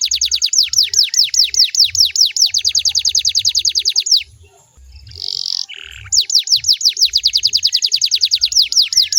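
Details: Canary singing to prompt other canaries to answer: a fast run of loud, downward-sweeping whistled notes, about seven per second, breaks for a buzzy phrase, then resumes. Soft low thumps run underneath.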